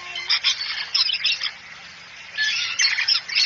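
Harsh, raspy cockatoo screeches and chatter in two bursts, about a second and a half each, separated by a short quiet gap.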